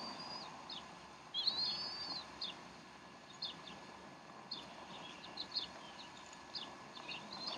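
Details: Mother bald eagle feeding her young at the Decorah nest, 12 April 2012, 3:10 pm Central Time; one high squealing slurred note, then a loose series of short, thin chirps over a low constant hum.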